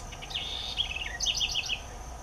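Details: Southern house wren (Troglodytes musculus) singing a cheerful, melodious song: a quick bubbling run of high warbled notes that slides downward, then a rapid burst of bright, chattering notes, all over soft background hiss.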